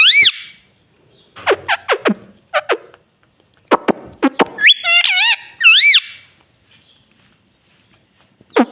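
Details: Mimicking "mummy" and "papa", a pet parrot utters sharp downward-swept squeaks and clicks, then a cluster of wavering, arched voiced syllables around five to six seconds, followed by silence and a final squeak.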